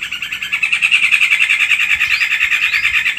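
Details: Borneo white-rumped shama in vigorous song with coarse fill-in phrases: a dense, fast, pulsing trill of chattering notes repeated about three times a second, ending with a couple of upward-swept whistles.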